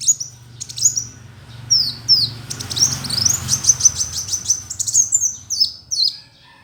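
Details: Kolibri Wulung sunbird used as tutor song, singing vigorously: very high, sharp chirps and quick downslurred twitters repeated in a lively stream, over a low background rumble.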